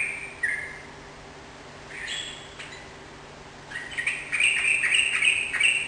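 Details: Sooty-headed bulbul, singing actively: scattered soft whistled notes at first, then a rapid, loud sequence of bright bubbly chirps building up over the last two seconds.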